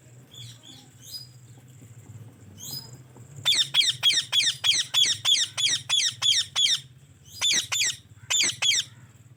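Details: White Indian ringneck parakeet chirping: scattered high calls, then a fast loud series of about a dozen sharp, shrill notes in quick regular succession, a brief pause, and three more, over a low hum.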